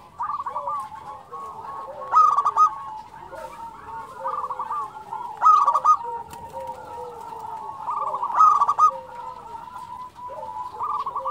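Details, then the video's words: A chorus of local zebra doves sings busily, with layered, rolling coo trills and a louder close phrase roughly every three seconds. "SUARA perkutut lokal gacor"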